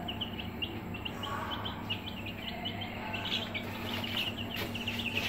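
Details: A group of Aseel chicks in a brooder peeps rapidly, with short, high, downslurred notes running together and growing busier toward the end over a low hum.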